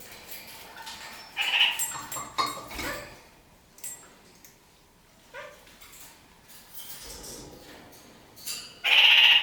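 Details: Kakariki, New Zealand parakeet, climbing upside down along a ceiling indoors; two loud, harsh, nasal squawks, one early and one at the end, with soft scratching and shuffling between them.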